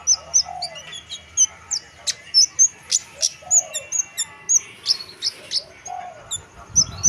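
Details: Chestnut munia song of a lively singing bird: a rapid series of high, thin whistled notes and sharp chips repeated about three times a second, with lower soft rising hoots between them.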